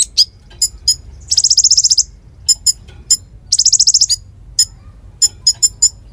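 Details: Konin singing actively, used as tutor song for murai: scattered high sharp chips punctuated by two brief, rapid, buzzy trills, all very high-pitched.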